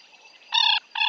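An African jacana gives two loud, nasal, rasping notes in quick succession, the first slightly longer, over a faint hiss of background noise.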